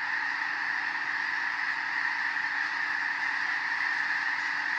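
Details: Massed snow geese in winter fields of Skagit County, Washington, lifting off after a bald eagle flew by; an unbroken wall of high, yelping honks from a huge flock.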